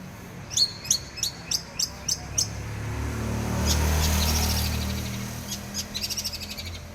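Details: Long-tailed shrike song in Armageddon material style with ngekek laughing notes: a row of about seven evenly spaced sharp high notes, a swelling rush of noise, then a rapid rattling burst of high notes, over low hum.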